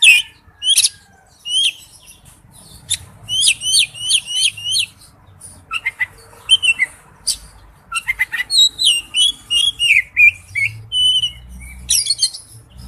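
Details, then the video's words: Calling to a female, a male oriental magpie-robin gives repeated quick rising chirps in a series, then pauses and resumes with whistled slurs and a rapid burst of sharp notes; low background hum. "tiếng chích chòe than gọi mái/chích chòe than trống kêu"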